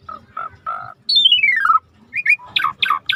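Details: Asian pied starling in full song for bird training: short mid-pitched warbled notes, then a long loud slurred whistle sliding downward, followed by harsh chattering squawks.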